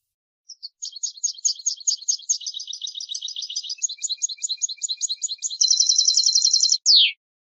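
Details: European goldfinch singing a song used for teaching chicks: a long run of crisp twittering chirps speeding into a dense buzzy trill, closing with a downslurred note.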